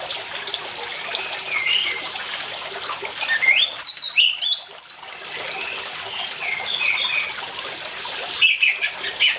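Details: Orange-headed thrush singing amid running water, recorded to draw song from silent birds: a mid-clip burst of several sharp, high whistled and downward-slurred notes, with faint warbling phrases and steady water noise throughout.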